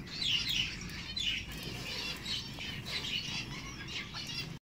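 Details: Diamond firetail (Stagonopleura guttata) chicks give a dense, continuous chatter of high, thin, overlapping chirps in quick bursts, over a low background hum.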